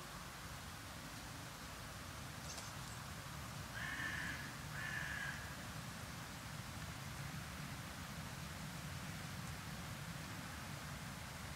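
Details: A carrion crow at a winter feeding spot in January, around 0 to 3 °C with a south-southwest wind, gives two harsh, hoarse caws about a second apart, over steady low rumbling background noise.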